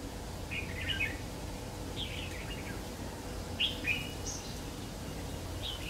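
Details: Bulbul trapping scene, 3 September 2019: a red-whiskered bulbul sings short warbling phrases of sliding whistles, about four bursts spread over several seconds, over faint low-pitched background noise.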